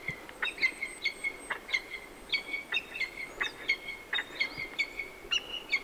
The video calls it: Peregrine Falcon All Sounds